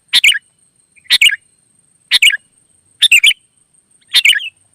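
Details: Repeated chirpy phrases from a wild sooty-headed bulbul singing in reply: five compact bursts of two or three bright notes, evenly spaced about one second apart.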